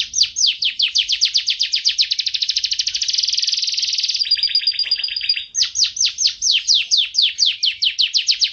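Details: Canary song used as a training recording for songbirds: rapid repeated downslurred notes, then a fast buzzy trill, a brief steady whistle, and a return to quick descending notes.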